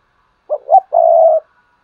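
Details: Lure call of a decoy spotted dove to make other doves coo: two short coos, the second rising, then one long, smooth, hollow croo, with silence around it.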